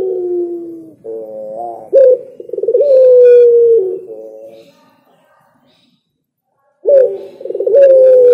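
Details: Spotted dove singing: a series of mellow, hooting coos, several with a rising start and a long, gently falling drawn-out note, followed by a pause, then the phrase begins again.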